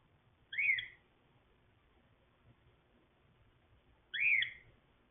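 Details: Yellow and grey cockatiels kept as pets give two loud, harsh whistled screeches, each swooping up then down, spaced about three and a half seconds apart with quiet in between.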